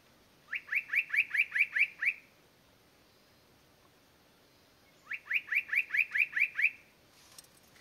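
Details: Spot-breasted Parrotbill calling at Doi San Ju in Chiang Mai Province, Thailand: two rapid bursts of about seven bright, rising notes each, separated by a pause of roughly three seconds, with a quiet background.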